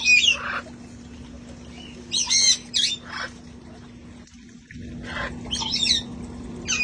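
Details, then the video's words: Sanctuary parrots having fun outdoors before it turned cold: clusters of raspy, screechy calls and short chattering notes, a brief quiet gap midway, then more squawks, all above a steady electrical hum. "sounds of parrots having fun outside enjoying life"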